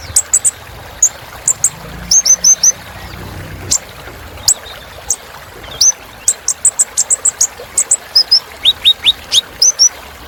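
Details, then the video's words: Song of a kolibri ninja sunbird, recorded as a rich filler to stimulate birds: a steady stream of sharp, very high chirps and small whistled phrases, many notes grouped in twos and threes. "Suara Kolibri Ninja Isian Mewah Bikin Burung Semangat"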